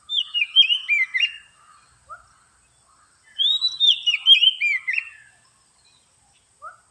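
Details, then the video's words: Oriental magpie-robin lure sound used to attract birds: two loud bursts of rich, rapid whistled warbling with slurred and trilled notes, separated by a short pause with a single soft whistle, then a final brief note. "suara pikat burung kacer paling AMPUH terbaru"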